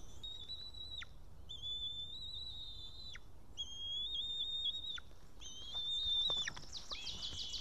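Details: White-tailed eagle at a nest in Estonia, the male returning after ringing with a fish he then lost, 8 June 2018 just before 1 pm: four long, steady high whistles, each about a second, each ending in a sharp downward drop.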